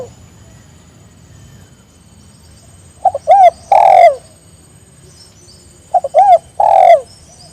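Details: Spotted dove calling so other birds respond: after a quiet start, two phrases three seconds apart, each a double pickup note then a rich, drawn-out coo, with low hum beneath.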